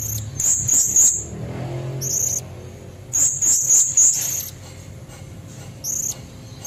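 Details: Blue-crowned hanging parrot female, calling to lure red-throated males: rapid high-pitched squeaks in bursts about every two seconds, with a faint low murmur in the background.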